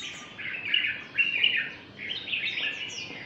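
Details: A red-whiskered bulbul sings a long song of more than ten note types, a fast run of chattering, warbled notes in bright bursts, with faint background hiss.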